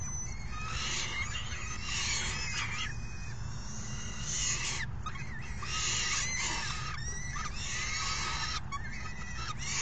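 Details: Young falcons beg noisily on 3 June 2018 as a parent brings a meal and the other feeds the hungry brood. Overlapping harsh, harmonic screeching notes come in bursts over a steady low rumble.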